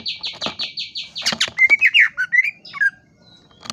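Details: Greater green leafbird singing a quick run of repeated buzzy notes, then a loud burst of sweet rising and falling chirps, ending in a short quiet pause.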